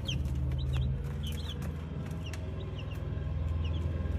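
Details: Brahma chicks with sparse, thin, high peeps and occasional quick double notes, heard over a loud, steady low hum.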